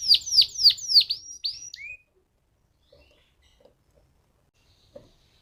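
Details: Lure recording of a canary singing to provoke other canaries into song: a short burst of loud, sweeping downslurred whistles repeated rapidly, ending in a rising note, then near silence with a few soft taps.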